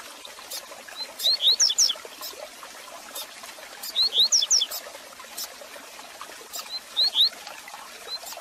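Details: Teaching song of a Double-collared seedeater, played to stimulate a caged bird: three short bursts of quick high slurred whistles, each about half a second long and roughly three seconds apart, over a soft background hiss.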